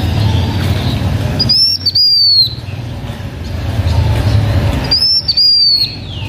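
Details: Blue-winged minla, a H'Mông owner's bird, singing to lure others: two matching high whistled phrases about three and a half seconds apart, each slurring downward and ending in a softer trailing note, over low rumble.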